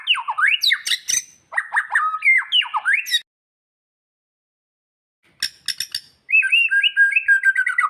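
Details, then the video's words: Magpie-robin song for a bird that has stopped singing: clusters of sharp, jumping whistled notes, a long silent gap, a few clicks, then a quick warbling run of repeated notes. "Audio Refleksi atau latihan untuk burung murai yang mogok bunyi"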